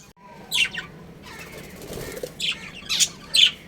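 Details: Pet budgerigars from a breeding pair, with a couple of high scratchy chirps, a quiet spell, then three sharp chirps spaced about half a second apart.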